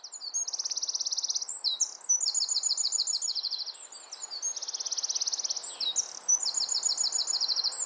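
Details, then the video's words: Nesting-season wren, probably singing to its mate: bursts of very high, fast rattling trills alternating with squeaky whistled notes, repeated almost continuously, with a low steady hum behind. "Wren singing"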